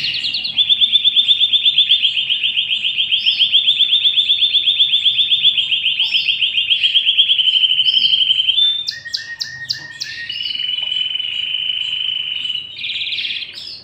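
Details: Domestic canary pair, male and female, shown with chicks being fed in the nest. A loud, rapid rolling trill runs steadily for about eight seconds, then breaks into sharper notes and a slightly lower buzzy trill to the end.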